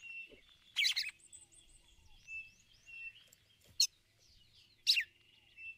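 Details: Female red-cowled cardinal giving ticulau calls to excite the male: three loud, abrupt chirps spread over several seconds. Quieter thin whistles and soft twitters from other birds continue throughout.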